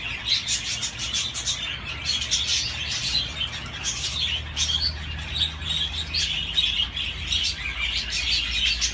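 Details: Flock of budgerigars twittering and chattering, quick high chirps and buzzy trills running together, with a low steady hum underneath that grows in the middle.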